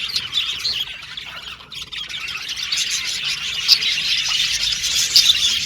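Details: Australian budgies chattering happily, a quieter stretch of twittering that builds to louder, harsher squawks and sharp squeaks near the end.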